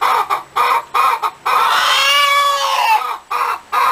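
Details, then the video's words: Hen cackling loudly: harsh, clipped bursts, then a long drawn cry that arcs and falls, then more clipped bursts. "Ouça o som de uma Galinha cacarejando"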